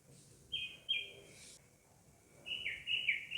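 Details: Citrine wagtail, a yellow bird of Nubra Valley, Ladakh, India: two sharp high chirps, then after a pause a quick run of buzzy, slightly descending chirps, over faint background hiss.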